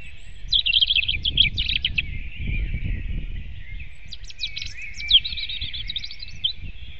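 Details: Robin at dawn, 8 April 2016, 05:48: two phrases of rapid, high, sparkling notes with a pause between, while other birds keep up a steady dawn chorus and low noise rumbles beneath.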